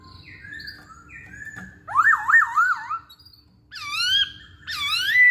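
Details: A masked laughingthrush sings, used as a lure for other birds: slurred whistles, then loud rapid wavering trills rising and falling, ending in a bright upward-sweeping whistle, with a low background hum.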